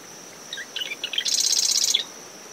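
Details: One early-morning marsh wren song from dune vegetation near a nest, ten meters from the high tide line: a few sharp chips then a rapid, high, buzzing rattle, with a constant cricket tone and breezy surf noise behind.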